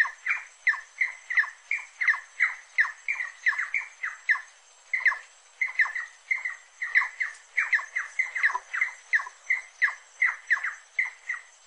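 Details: Rufous-necked wood rail singing: a long rhythmic series of loud squealing notes with falling tails, pouring out in groups, a brief pause near the middle, then resuming at full pace.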